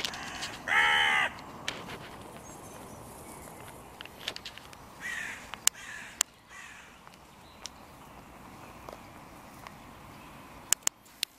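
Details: Crow calling at the contested meeting point of three breeding pairs' territories by the music pavilion in König-Albert-Park; one loud, harsh caw early on, then only faint distant sounds and scattered clicks.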